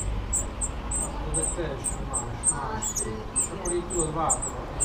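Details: Spotted flycatcher at a nest built among screws in Dombóvár, 8 June 2017, filmed from a window hide. Very high, thin ticking notes repeated rapidly and evenly, several per second, over low background rumble and faint murmuring.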